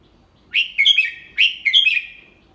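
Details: A Red-whiskered bulbul tutor singing the 'double-3' song slowly and distinctly for young birds: two matched phrases, each a loud rising note followed by fluty, downward-sliding warbles.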